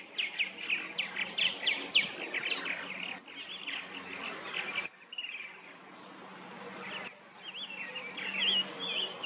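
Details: Purple martins in a backyard colony nesting in plastic gourd houses in St. Catharines, Ontario, in late spring to early summer, fill the air with rich gurgling chirps and throaty warbles, many birds overlapping in busy colony chatter with brief pauses.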